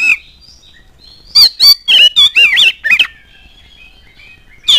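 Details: Oriental magpie-robin song used as a lure to prompt other magpie-robins to sing: a run of loud harsh chattering notes and bright slurred whistles over about two seconds, then quiet, then one more sharp note.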